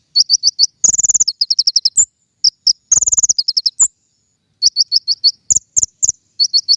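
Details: King konin song for luring birds into traps: fast runs of high, piercing chirps interrupted by two rattling trills and a few higher single notes.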